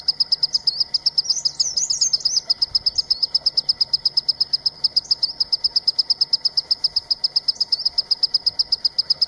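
A Green-tailed Sunbird gives a steady stream of high, thin ticking notes, several per second, with a brief twitter from another bird near the start.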